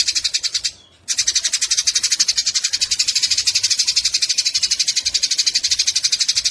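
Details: Rapid rasping chatter of fighting Eurasian tree sparrows, briefly interrupted just before one second, then continuing loud and dense with fast, evenly pulsed notes; a recording for tutoring songbirds.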